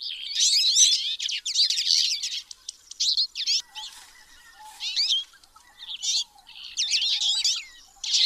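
Twite giving fast, chattering twitters in bursts of about a second, high and busy, with a quieter, lower-pitched bird calling in the background.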